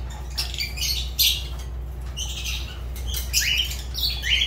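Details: Lovebird chatter of thin, scratchy chirps and short squeaks, busy and irregular, with a few clearer upward-sliding shrill notes near the end; steady low hum in the background.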